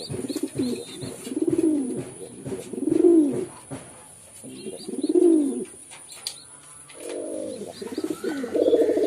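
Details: A string of arching low pigeon coos, about one every one to two seconds, ending in a rolling burble, with faint high twitters behind.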